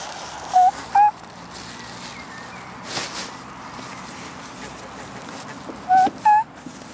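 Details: Black swan (Cygnus atratus) on a pond, giving two short, clear, slightly rising bugling notes, the second pitched a little higher; the same pair repeats about five seconds later over quiet outdoor background noise with a brief rustle.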